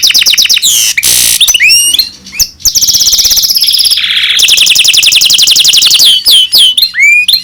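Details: Vigorous, nearly unbroken song from a goldfinch and canary cross: rapid trills, rolling buzzy phrases and rising whistled slurs, with a brief pause near the second second.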